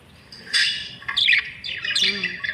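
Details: Budgerigars squawking and chattering in short harsh bursts, a loud rasping squawk followed by scratchy chirps and a rising screech, with faint background noise.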